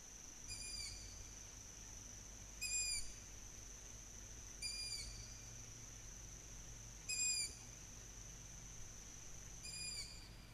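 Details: Young long-eared owls calling in July 2020 in Slovakia, whistling in the evening to summon their parents to feed them: short high squeaky whistles repeated every two to three seconds, with a steady high hiss beneath.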